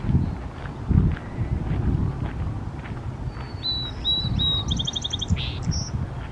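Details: A song sparrow singing from a Y-shaped twig: a few clear, high introductory notes, then a fast buzzy trill and quick twittering phrases, over steady low rumbling wind or traffic noise.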